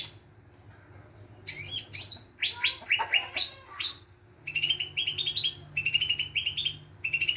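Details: Greater green leafbird song used as a lure to make other birds sing: varied clear whistled and chirping phrases, then a fast run of rising high notes repeated in rhythmic bursts, with a low steady hum underneath.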